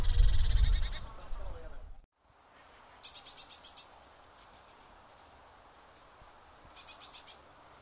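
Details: Eurasian blue tit in Córdoba, Spain, giving quick runs of four or five thin, very high notes, with a low rumble of wind or handling noise at the start.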